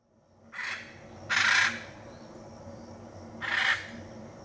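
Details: Hyacinth macaw in the Pantanal, Brazil, giving three harsh, raspy squawks spread over four seconds. The middle call is the longest and loudest, and a faint low hum runs underneath.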